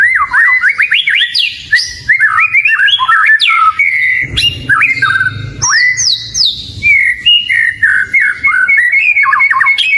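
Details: Oriental magpie-robin in full, energetic song meant as a lure: a continuous stream of clear whistles, fast trills and sharp upslurred notes, with a brief lower rumble midway and bright high whistles near the end.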